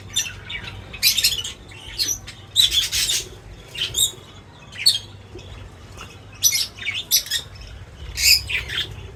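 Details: Birds at a feeder give bright, high chirps and scratchy bursts in short clusters, roughly one cluster every second, with brief quiet gaps between them and a faint low hum underneath.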